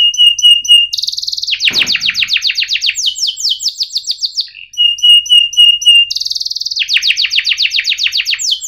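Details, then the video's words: Training song for young canaries: high clipped notes, then long fast trills of downward-sweeping chips in rolling bursts, the pattern repeating, with a brief knock partway. "Kenari Gacor Cuit Ngerol TAJAM"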